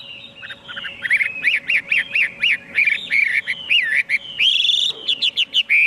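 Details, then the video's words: Chinese hwamei song: loud, rich whistled phrases, a run of rising-falling notes repeated rapidly, then longer slurred whistles and a high sweeping note, with a faint steady hum underneath. "tiếng chim hoạ mi hót cực hay"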